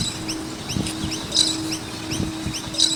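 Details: Noisy miners around a skate park chirp in short, repeated high notes, several birds overlapping, with a steady low hum and scattered thumps beneath.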